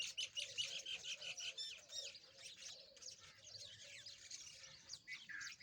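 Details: Rosy-faced (Peach-faced) Lovebirds playing together chatter in a dense stream of shrill, high chirps and squeaky notes, several birds calling over one another, with a faint low hum underneath.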